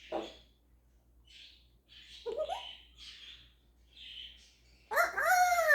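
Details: Captive African grey parrot imitating animal noises such as a rooster, horse and cat: scattered short squeaky and raspy calls, a low fluttering note, then a loud harmonic wavering call at the end.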